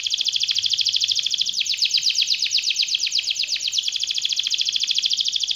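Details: A 'gacor' canary sings a long rolling 'ngerol' passage, a dense rapid trill that shifts into a harsher, faster churring phrase midway, then returns to a bright, steady, buzzing roll.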